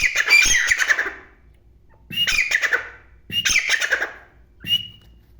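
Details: Black francolin calling: loud, harsh, grating bursts, three long scratchy phrases of about a second each at roughly 1.2-second intervals, then a shorter final note, with quiet gaps between.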